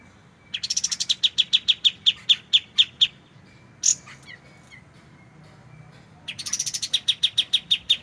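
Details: White-shouldered triller (kapas tembak) giving its clear 'tembak' rapid-fire song, used as a tutor recording for white-rumped shamas: two bursts of sharp, evenly repeated high chips, a brief separate note between them.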